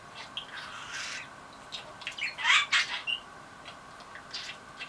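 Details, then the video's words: Pet budgerigar excited by a toy, giving scratchy chattering and squawky bursts with brief clicks, loudest around the middle, against a steady low room hum. "セキセイインコこはく オモチャに興奮「大好きだよ」"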